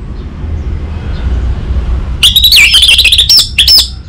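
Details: Orange-headed thrush bursting into song after two seconds of quiet: a rapid run of varied whistles and chirps, some notes sliding up and down, over faint low rumble.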